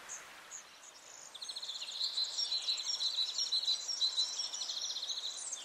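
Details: A European greenfinch (Chloris c. chloris) at Quiberon, France, in April 2023 gives rapid, high twittering trills, starting after a brief pause and running in quick bursts, over a faint background hiss.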